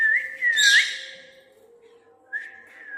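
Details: Indoor pet parrot answering a spoken Hindi request to whistle: a clear whistle with a rising flick, cut by a loud rushing burst, then a softer, falling whistle after a pause, over a low steady hum.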